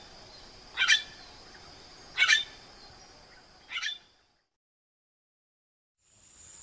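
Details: Eurasian magpie uttering three brief, scratchy chak calls spaced about a second and a half apart, followed by silence.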